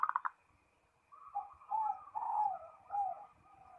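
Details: Zebra dove calling a rival: a few quick clipped notes, then after a pause a series of soft, rolling cooing phrases, each warbled and slightly descending, repeated about every half second in a quiet setting.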